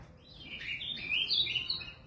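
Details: Azul, a captive ultramarine grosbeak from São Paulo, Brazil, gives a short, rich warbled phrase of sliding high notes over about two seconds, with only a faint background hum.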